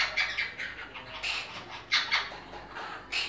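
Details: Monk parakeet during breeding, calling with abrupt, harsh squawks delivered in short groups, sharp onsets and quick decay.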